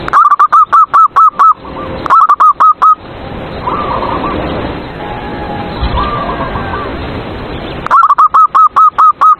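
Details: Caged zebra dove song played to provoke rival doves into singing: loud runs of about eight rapid, evenly spaced cooing notes, repeated three times, with softer, distant dove trills in between.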